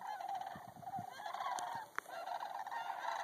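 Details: Sandhill cranes on a pond near Bosque del Apache, New Mexico, calling in overlapping rolling, rattling, honk-like notes that carry on steadily, with a sharp click partway through.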